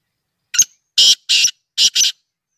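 Black francolin giving a harsh, grating phrase of five rasping notes: one short note, then two quick pairs, all within under two seconds.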